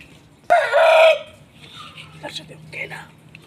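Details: Aseel rooster gives a short, abrupt, raspy crow of about half a second, followed by softer distant clucks and murmuring in the background.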